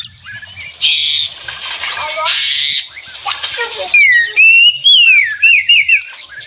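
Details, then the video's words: White-rumped shama giving rattling 'ngeretek' song, birds answering each other; noisy hissing rasps first, then clear wavering whistled phrases with quick upper trills. "Suara Murai Batu Ngeretek"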